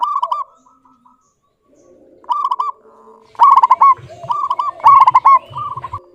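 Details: Zebra dove, local type, calling actively with a clear voice prized for luring: a short purr, a pause, then a run of rapid pulsed coos and stuttered bursts repeated close together.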